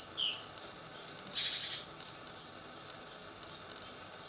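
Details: Young great tits of a second brood fledging from a nest box on a balcony at seven in the morning; thin high chirps alternate with a harsh buzzy call, and sharp high notes recur.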